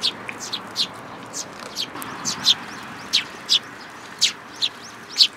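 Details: At a plum-tree feeder by a Tenmangu shrine, 21 June 2022, sparrows including a new fledgling give clear, high, clipped chirps, spaced irregularly about every half second over quiet background.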